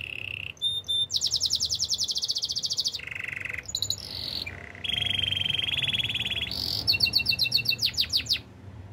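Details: Canary song of buzzy sustained trills at varied pitches, switching between a low rolling tone, a high dense rattle and a mid-pitched steady trill, ending in quick sweeping notes.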